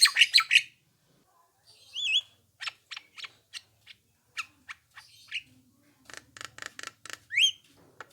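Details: Black-winged myna calls played to draw replies from other mynas: harsh broad squawks open, then a wavering whistled note, sharp clicks and chips, and a fast buzzy rattle series ending in rising whistles.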